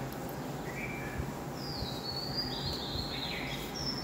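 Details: Wild birds singing before dawn at 4:51 am on June 17th. A few thin, high whistled phrases come through, including a longer drawn-out note midway, over a steady broad hiss and low rumble.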